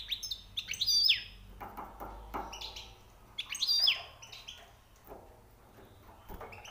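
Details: European goldfinch, newly caught, singing high, rare notes: two short bursts of bright, twittering, high phrases about three seconds apart, with quiet gaps and faint low background hum.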